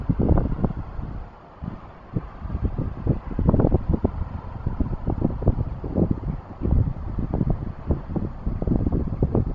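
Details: Strong wind batters the microphone in repeated low, roaring gusts, and no animal sound can be picked out.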